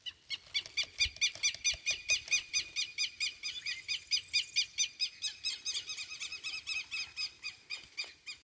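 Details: A Rufous-bellied thrush chick, filmed 28 November 2022, gives a steady stream of high, squeaky begging notes, about three or four a second, with no other clear sounds.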